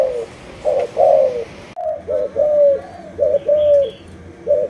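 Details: Cooing spotted dove of a Malaysian line: low, rounded coo notes in groups, some with a slight downward slur, repeated with pauses, while a faint higher bird call sounds briefly in the background.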